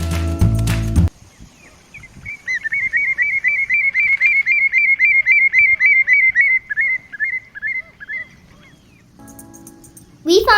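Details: Common redshank (Tringa totanus) giving a long, fast run of sharp, piping notes, about four a second, with brief music opening and closing the recording.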